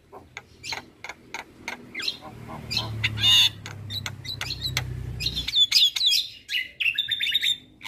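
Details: Javan myna singing energetically for a master recording used to train other birds: scattered sharp clicks over a low hum, then a louder stretch of harsh notes and short high whistles.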